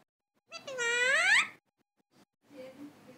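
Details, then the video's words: Talking parrot uttering "mithu maa" indoors: one loud, drawn-out tonal call lasting about a second, pitch dipping then climbing steeply at the end, followed by a faint, softer murmured syllable. "Parrot is speaking " mithu maa""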